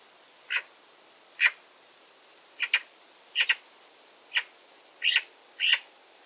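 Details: Eurasian magpie giving short, harsh, rasping calls, singly and in quick pairs, spaced irregularly about a second apart against a quiet background.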